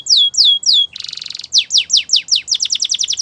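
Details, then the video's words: Belgian canary song in the morning, with three slurred descending whistles, a short buzzy roll, then a rapid accelerating series of high falling notes. "Canary Singing In The Morning | Belgian Canary Song"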